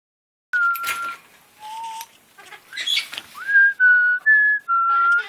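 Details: Pet military macaw, a territorial, hormonal male on top of his cage, whistling: a series of clear, steady whistled notes, mostly level, one rising into a held tone, with some rustling and scratchy noise between.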